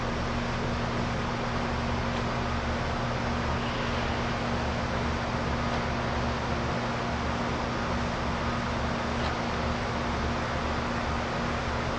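Steady mechanical hum and broadband noise, like an engine or fan, with no animal calls heard.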